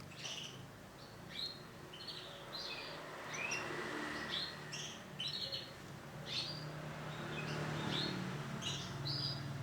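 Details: Female isabel-coloured canary giving soft, short chirps in loose, irregular bursts, some with a brief upward sweep, over a faint low background hum.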